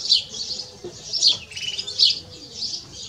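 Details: Brief excerpt from a canary and goldfinch hybrid: three loud, high chirping bursts with softer twitter between them.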